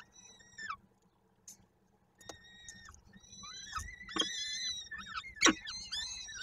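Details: Peregrine falcons at a nest in Koszalin on 13 May 2022, the male arriving with prey while the female feeds the chicks; arched, wheezy calls rise and fall in quick series, broken by clattering knocks and low rumble.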